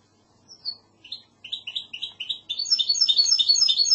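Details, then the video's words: Song of a Spanish goldfinch hybrid in the classic Andalusian style: a few separate high notes speeding into evenly spaced chirps, then a dense rapid twitter. "CANTO MIXTO PEPEGRANADA تغريد هجين الحسون الإسباني"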